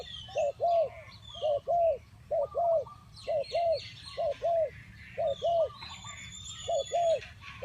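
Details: Spotted dove used as a trapping lure, calling steadily with paired hollow coos repeated roughly every second across the stretch. Scattered high chirps from other birds are heard in the background.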